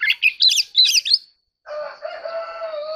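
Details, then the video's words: Oriental magpie-robin in a competitive singing bout: a rough, jumbled burst of whistled notes for just over a second, then a pause and a steady, droning harmonic tone. "choè than kích hót || choè than hót đấu"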